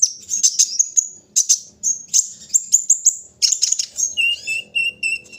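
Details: Brown-throated sunbird during morning airing, with clusters of shrill, ringing chirps, followed by a steady series of lower, clear whistled notes.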